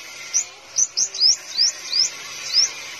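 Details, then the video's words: Caged five-colored sunbird in Vietnam singing seven high, sharp upslurred whistles in three seconds, some doubled, against a quiet hissing background. "Chim Hút Mật 5 Màu Hót Líu"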